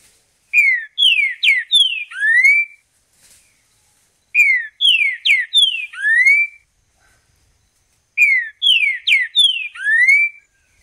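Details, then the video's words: Green-winged Saltator singing in the wild: a clear whistled phrase of four slurred notes, the last drawn out and rising, repeated about every four seconds. No other sounds. "Canto do trinca ferro mateiro"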